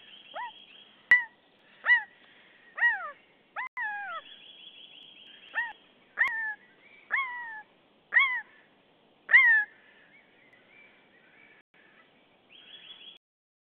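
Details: Common buzzard in Estonia, thought to be a female, recorded 25 March 2015: repeated mewing calls, each a clear downslurred whistle with harmonics, given about once a second in a series of eight, with a faint high hiss between calls.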